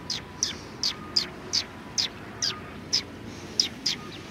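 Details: Sparrows at a Tenmangu shrine in Japan in February 2020: a steady run of about eleven short, high chirps, each a quick bright note spaced roughly every 0.4 seconds, over a quiet background.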